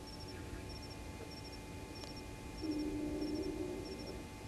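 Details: Southern white-faced owl at 03:26 at night, 08/11/19, at Gowrie dam waterhole, Djuma Game Reserve, Sabi Sand, South Africa: a low, soft hoot swelling over a second, with insect triple ticks throughout.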